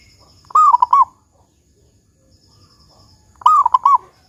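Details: Local zebra dove giving its big 'kung' song, used as a lure to prompt other zebra doves to sing: two short, rolling, stuttered coo phrases about three seconds apart, each under a second, with quiet pauses.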